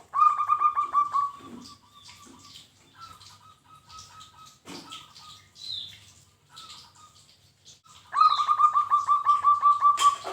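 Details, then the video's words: Local zebra dove (perkutut lokal) in a recording meant for training other birds. It gives rapid staccato trilled coos in bursts of about a second at the start and end, with softer single coos between and faint high chirps. "Masteran wajib untuk burung perkutut lokal bahan Supaya gayeerr"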